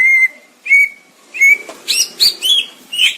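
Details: Greater green leafbird singing, a series of clear whistled notes near one pitch followed by faster buzzy, rising and falling phrases, loud and close.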